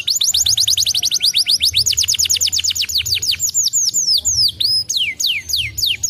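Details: Canary song meant to stimulate other canaries: rapid repeated descending whistled notes in rolling tours, some sections faster and some slower with longer sweeping notes, over a faint low background hum.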